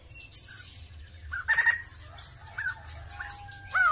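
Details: Sumatran laughingthrush, a crested bird, singing with scattered short whistled notes and falling slurred phrases around mid pitch, separated by brief pauses over a low steady background hum.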